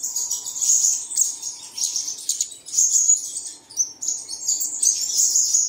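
High, thin chirping and twittering from songbirds, dense and continuous with brief pauses, plus a faint low hum underneath.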